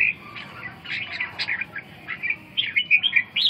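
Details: Red-whiskered bulbul giving a run of bright, chirpy warbled notes, softer in the middle and growing louder toward the close, over a faint low background hum.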